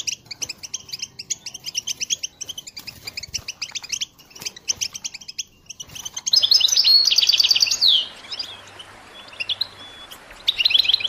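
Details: European goldfinch, a caged bird, singing: a run of rapid dry ticking notes, then a burst of dense twittering trills with thin high whistles, over a faint low hum.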